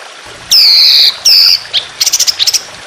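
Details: Trotolan songbird from Indonesia in a masteran training recording with trickling water, fierce long harsh shooting style: two long, loud, rasping buzzy notes, followed by a stuttering burst of short, high chips.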